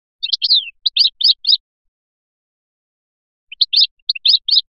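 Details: ['European goldfinch, Biskra Filyashi song: two short bursts of sharp, bright tinkling notes in small clusters, separated by a pause of about two seconds, with a quick downward slur in the first burst.']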